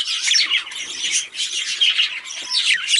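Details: Chattering warble from a male budgie: rapid high scratchy chirps and squeaky notes run together continuously, with small swells in loudness and one short clear whistled tone near the end.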